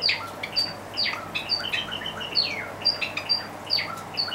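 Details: A pair of white Java sparrows squabble over hand-feeding formula meant for chicks, one pecking the other away as it eats, with rapid, high, sharp chirps, about two each second, in overlapping bursts over a faint low hum.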